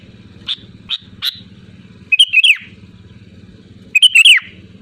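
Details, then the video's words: Loud sooty-headed bulbul calling out to rivals: three short sharp notes open, then two groups of quick liquid chirps and slurred whistles about two seconds apart, over a pulsing low mechanical hum. "SUARA ASLI BURUNG KUTILANG GACOR LANTANG MEMANGGIL LAWAN"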